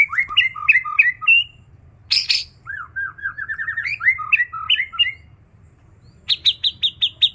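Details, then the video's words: White-rumped shama, a kept bird, singing a varied song that mimics other birds: whistled two-note phrases, a harsh burst, a rapid rising chatter, and a closing series of six sharp high notes. "murai isian katem + cak janggot"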